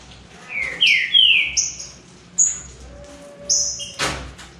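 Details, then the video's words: Green-winged saltators in a three-bird singing dispute produce two loud, falling whistles, then short high piercing notes and a sharp percussive snap. "TRIO NA DISPUTA ESQUENTE SEU TRINCA FERRO"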